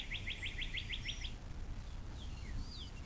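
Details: Bald eagle on a nest cam beside the Little Miami National Wild & Scenic River, southwest Ohio, USA, 06.04.2024 at 17:23: seven rapid high piping notes in a tight burst, followed by scattered thin whistles and a low background rumble.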